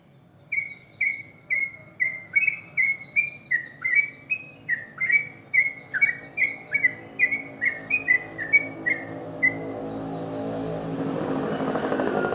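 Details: Sooty-headed bulbul singing in the morning, ropel style, a long run of about twenty crisp whistled notes at a steady quick pace with high descending chirp series, ending as broad rushing noise rises.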